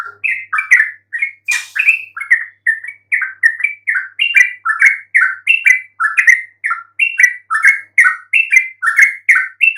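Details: To make any quiet yellow-vented bulbul respond, this song runs as a long, steady babble of short, husky chirps alternating higher and lower, with a brief rustling burst near the start.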